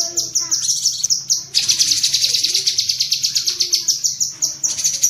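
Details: Cucak kinoi bulbul giving rapid 'tembakan' chattering bursts used as training audio for pet songbirds: dense, high, buzzy chatter of fast repeated notes, broken by short pauses and then resuming in long run-on strings.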